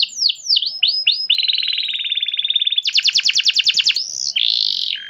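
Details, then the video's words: Canary lure song to make pet canaries join in: looping downward whistles, a long level buzzy roll, a rapid bright trill, then a swooping note and a final steady buzzy tone. "KENARI rumahan jadi ikut GACOR dengar SUARA PANCINGAN kenari gacor ini"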